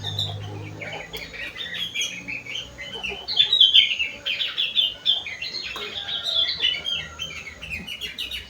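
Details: Sooty-headed bulbul with a song filled in from rengganis and cucak wilis birds, delivering a fast, continuous run of high chattering and twittering notes that grows louder midway, with a low droning hum in the first seconds.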